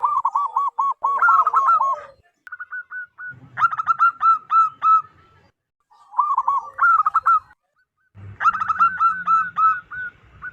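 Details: Local wild zebra dove calling loudly, used to attract wild zebra doves: bursts of rapid, hooked staccato coos, about three notes a second, broken by short gaps. Low rustling sounds are heard between the phrases.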